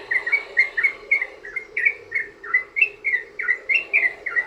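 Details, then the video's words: Sooty-headed bulbul used as a lure for other bulbuls, giving clear warbled notes: a regular series of short rising-and-falling chirps, roughly four per second, loud and clean against a quiet background. "trucukan ROPEL PANJANG buat pancingan burung trucukan agar bunyi"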